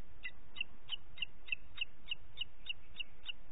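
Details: High repeated whistles of a booted eagle, Parc Natural dels Ports, morning of 27 June 2021 at 09:06: around eleven short piercing notes at about three per second, steady in pitch, with soft background hiss.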